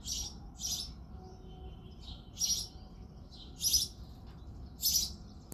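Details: In the early morning of February a male house sparrow chirps and sings, with quick chirps at the start, then louder single chirps spaced over a second apart and faint twitters between.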